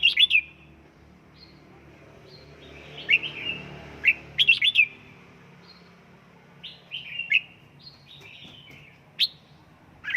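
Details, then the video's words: A red-whiskered bulbul in home căng lửa training sings loud, ringing warbled phrases and sliding whistles, with pauses of a few seconds between bursts and a faint hum behind. "Cách luyện chào mào căng lửa | Dợt chào mào tại nhà, QUÁ HAY nhanh căng lửa chào mào"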